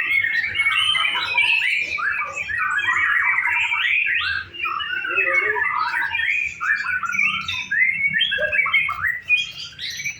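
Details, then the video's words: Practice singing contest of white-rumped shama, a continuous rapid medley of sharp chirps, warbles and whistled notes with hardly a pause, packed and overlapping throughout. "Simulasi lomba murai batu"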